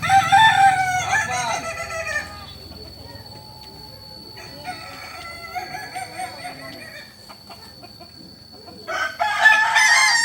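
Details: Kukuak Balenggek rooster from Solok crows loudly for about two seconds, falls quiet with faint background sounds, then starts another harsh, rising crow near the end.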